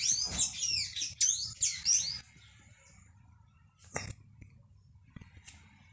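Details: Backyard blue hummingbird, a dominant female that chases others from the nectar: three loud bursts of high, squeaky, slurred notes in two seconds, then near quiet with a single sharp note and faint chirps.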